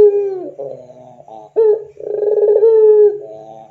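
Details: Barbary dove in the pelung style on a training lure: a falling coo, soft rolling notes, then a strong pulsing sustained coo that trails into quieter trills.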